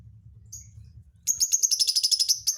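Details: Lovebird giving a strange, hard-to-guess song fill: a sudden fast run of about a dozen high, sharp chirps in just over a second, rising in pace after a quiet stretch with low background hum.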